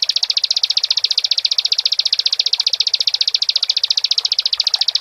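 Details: An energetic Bar-winged prinia delivers an unbroken, rapid, metallic trill of identical high pulses, steady in pitch and loudness for the whole five seconds, with faint low rumble behind.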